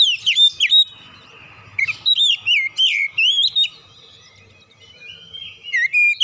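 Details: Used as a lure to make oriental magpie-robins sing, this song gives quick whistled bursts at the start, a long run of loud looping notes in the middle, a pause, then soft whistles returning at the end.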